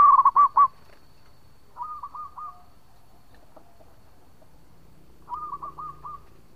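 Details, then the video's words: Local zebra dove singing actively with a long song, used as a lure; a loud burst of rapid, throaty cooing notes opens, followed by two softer, stuttering coo phrases about three seconds apart, over a quiet background. "Perkutut Lokal Gacor Suara Panjang buat Pancingan"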